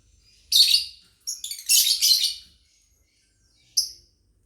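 Lovebirds give harsh, high, buzzy chirps in short bursts, a quick chattering run in the middle, then one sharp note at the end.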